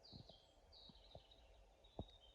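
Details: In a Polish forest at dusk, almost dark on a weekend night, a European robin, the last bird still singing, gives faint, thin, high warbling phrases that slide and waver, with soft low rustles and sharp clicks nearby; distant motors and machine-like humming are heard.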